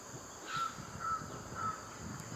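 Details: A feeding grey-headed swamphen gives three short, harsh nasal calls about half a second apart, over a steady high insect hiss and low rumble.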